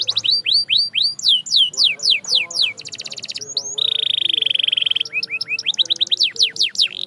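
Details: Singing canary used as a training sound for caged canaries: loud repeated downward-swept whistles at a rapid pace, a mechanical rattling roll, a long flat high trill, then more quick falling whistles.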